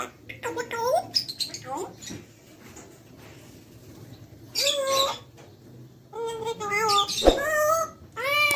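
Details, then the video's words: Grey parrot, described as fully friendly and a full talker, producing voice-like harmonic phrases: short chattering syllables, then longer nasal word-like bursts separated by quiet pauses, indoors with a low background hum. "So beautiful grey parrot | talking parrot"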